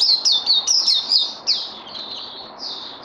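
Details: Bird undergoing song training, 18 May 2020: a fast string of bright, high whistled phrases with downward slurs, fading into longer, softer sustained whistles.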